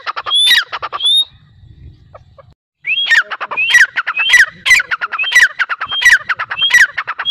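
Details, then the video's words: Loud grey francolin (teetar) calls. Two scratchy phrases with a high whistled note, a quiet gap of about two seconds, then a rapid run of harsh, rising, rattling phrases in steady succession. "Teetar Awaz | Dakhni Teetar Voice | Teetar Sound"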